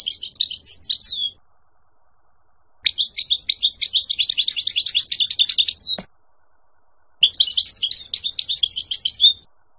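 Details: Moroccan wild-type European serin singing three bursts of very high, fast, jingling and buzzy twittering, each lasting one to three seconds and separated by silent pauses, with a single sharp click midway.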